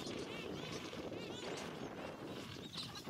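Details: Gentoo penguins in a colony on Carcass Island, Falkland Islands, 21 January 2019; several harsh, braying calls with stacked harmonics overlap a steady wind rush and murmur from the colony.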